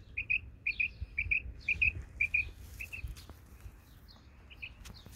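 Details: Singing female quail of the Isabelle colour in a garden, giving crisp paired chirps at a quick even pace for about three seconds, then fading to softer scattered chirps amid low background hum.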